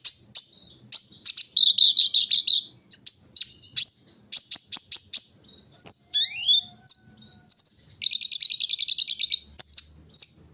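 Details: Brown-throated sunbird singing at morning dewing: very high, thin chirps and whistles, dense rapid buzzy trills near 2 and 8 seconds, and a quick falling slurred note around 6 seconds.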